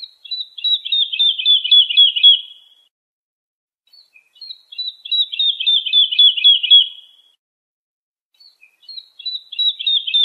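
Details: Lark singing, a recording meant for chicks to learn the song: repeated bursts of rapid, jangling chirps lasting about three seconds, separated by silent gaps of roughly a second, high and clean with no background.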